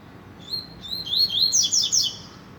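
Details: High clear whistles from a rusty-collared seedeater, opening with a few separated notes, then accelerating into a rich, rapid chirping flourish lasting about a second.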